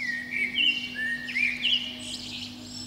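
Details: Protected Eurasian blackbird singing atop a pine beneath a window, one spring dawn performance between about five and seven in the morning; a single rich, fluted phrase of slurred whistles rising into thin squeaky notes, a constant low hum underneath.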